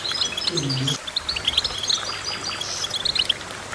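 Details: Goldfinch song opening with a brief low sound, then sparkling high chirps and short whistled notes scattered irregularly across the rest of the recording.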